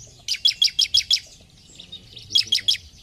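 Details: Bar-winged prinia (ciblek) giving a fast run of six sharp high chirps, then silence, then a shorter run of four chirps; soft low rumble underneath.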